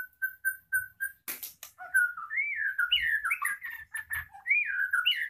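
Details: Blorok white-rumped shama from a breeder, in moult with its tail still growing, singing actively with its voice not yet fully recovered. Its style is called roll speed nembak. Clear whistled notes repeat evenly, then give way to rapid rising and falling phrases.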